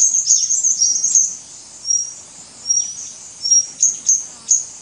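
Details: White-gorgeted Flycatcher, Anthipes monileger leucops, recorded 24 March 2017 at Doi Ang Khang, Thailand: a busy burst of high twittering notes, then separate thin level whistles and sharp ticks.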